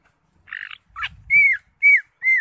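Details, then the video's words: Greater green leafbird, known locally as cucak hijau, singing in an energetic, varied style: a buzzy note, a slurred rising chirp, then three clear whistled downslurred notes about half a second apart. "CUCAK HIJAU (ijo) NGENTROK JAMBUL GACOR FULL ISIAN"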